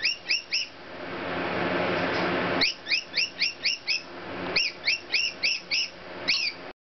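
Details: Rainbow lorikeet singing to cockatiels: short bursts of quick, upward-sweeping chirps repeated evenly, separated by stretches of loud rushing noise.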